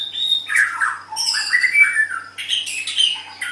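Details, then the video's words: Caged white-rumped shama kept as a songbird, singing a varied phrase of rich whistles and harsh squawky notes mixed with high chirps, in a small room with a faint steady hum. "Suara Burung Murai Batu"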